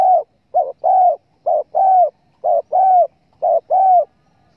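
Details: Spotted dove coos as a lure for hunting birds: steady paired phrases, a short low note leading into a longer mellow coo, repeated about once a second.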